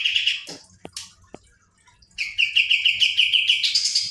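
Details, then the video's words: Kapas tembak bird in rolling song: a short trill, a few isolated clicks and taps, a pause, then a long steady rattle of repeated notes that rises in pitch at the end. "kapas tembak gacor roll ngebrn nembak.."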